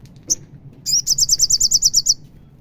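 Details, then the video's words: An olive-backed sunbird gives a single high chip, then a fast run of about eleven sharp, high twittering notes, over a faint low hum; this song is used to provoke other sunbirds into singing. "DENGAR SUARA SOGON ini"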